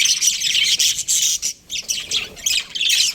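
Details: Steady high budgie chatter from a breeding pair, harsh and rapid, broken by one short pause midway before the scratchy twittering resumes.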